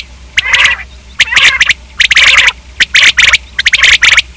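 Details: Common quail producing harsh, buzzy bursts of fast repeated notes, several grouped phrases close together, with a low background hum.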